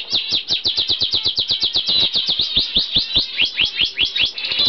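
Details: A UK-bred normal zebra finch pair, bred in 2011 and recorded in November 2011, gives a rapid stream of short, nasal, beeping calls, several each second.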